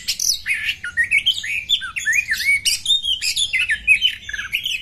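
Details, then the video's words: Oriental magpie-robin female, used to excite males into fighting with tails fully fanned, delivers rapid whistled phrases, upward and downward slides interspersed with short piercing chips and rasping bursts. "KACERMU CEPAT EMOSI TERPANCING KACER BETINA FULL BUKA EKOR TARUNG NGOTOT INI"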